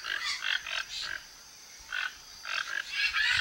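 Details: A flock of toco toucans in Brazil, foraging for fruit around a backyard, gives rough, croaking notes in quick bursts of three or four with short pauses between; a thin, steady high hum runs underneath.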